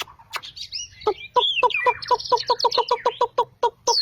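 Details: White-rumped shama after completing its moult, singing fast varied phrases: opening whistles, then a quick series of repeated lower chuck notes about four per second under high twittering and warbled notes.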